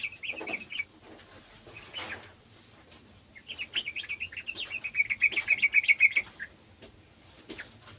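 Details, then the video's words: Short, clipped chirps from a sooty-headed bulbul, a garden bird joining in with an untrained one. A pause follows, then a fast, evenly spaced chatter of high notes builds to a louder trill. "TRUCUKAN KEBON ikutan bunyi burung trucukan bahan"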